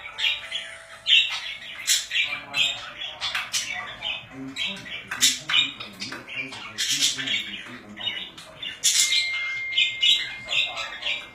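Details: Pet budgies babble in rapid scratchy warbles and squeaky chirps, loud harsh squawks breaking in, plus a faint steady whistle-like tone near the end.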